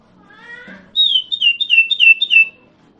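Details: Common iora (sirtu, cipoh) singing, used as a lure so other irora answer: a quick run of six bright, falling high notes, preceded by a softer, lower, rising drawn-out sound.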